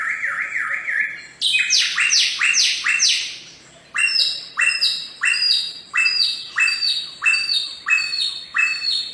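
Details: Wild Bare-throated Whistler, locally garugiwa, a species endemic to Flores and Sumbawa in Indonesia: a wavering zigzag whistle opens, then loud whistled notes sweep steeply downward, repeated roughly every half second in a ringing series.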